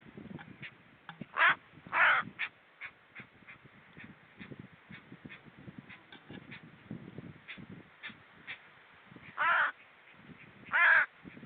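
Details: Hooded crow calling at 06:40 on 28 August 2013, with seals nearby: four loud, harsh, grating caws, a pair near the start and a pair near the end, over soft low murmuring and faint scattered short notes.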